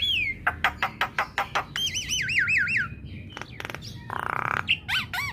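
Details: Female Javan myna song for drawing responses from other mynas, starting with a rapid string of clicks, then a wavering warbled whistle repeated in loops, a harsh rasp and final looping whistles.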